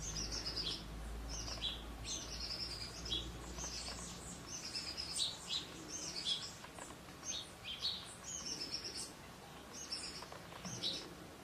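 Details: Young shiny cowbird raised by a rufous-collared sparrow host, begging while fed: steady run of sharp, high-pitched chirps in quick clusters, a low rumble of background noise beneath.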